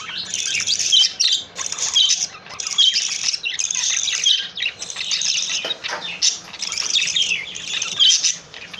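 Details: A happy male pet budgerigar sings at length, warbling continuously in a busy, high chatter of chirps, clicks and squeaky notes.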